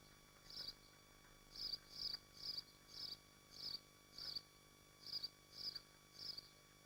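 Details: Swifts nesting at Machynlleth in the Dyfi Biosphere, heard through a nest livestream: a run of nine harsh, thin screaming bursts, unevenly spaced, some paired closely together, against a quiet humming background.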